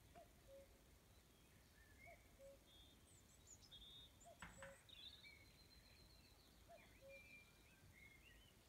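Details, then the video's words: Common Cuckoo singing in the evening at Rumburgh, Suffolk: low two-note cu-ckoo phrases, the second note lower, repeated about every two seconds, with thin high chirps and trills from other birds throughout. "song of the cuckoo and birds"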